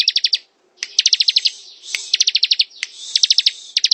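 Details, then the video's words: Bar-winged prinia in ngebren song, delivering four quick runs of sharp, high, stuttering notes about ten per second, separated by short pauses and faint rushing sounds. "Suara ciblek ngebren"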